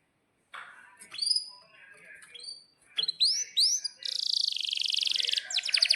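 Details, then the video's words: Energetic canary song played as tutor material for young birds learning to sing. Scattered chirps and rising whistled upsweeps lead into a fast rattling roll lasting over a second, ending in quick repeated notes. "Kenari GACOR PANJANG INI Cocok untuk Masteran KENARI PAUD dan Kenari Macet BUNYI"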